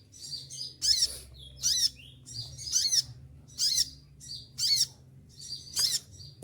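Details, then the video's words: Moulting caged olive-backed sunbird singing: seven shrill, high buzzy bursts, roughly one per second, each ending in a sharp downward flick, over a quiet low hum. "konin lagi mabung bulu rontok semua tetap gacor"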